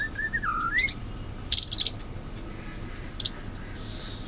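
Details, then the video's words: Wild sooty-headed bulbul singing in forest: a short liquid whistled phrase that dips then rises, followed by bursts of high, sharp chirping notes and a few scattered thin calls. "Suara burung cucak cungkok asli hutan"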